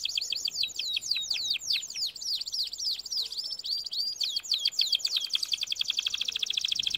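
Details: Song of a canary meant for training birds: loud, rapidly repeated downslurred whistles tumble in sequence, merging into a fast, steady, chattering trill.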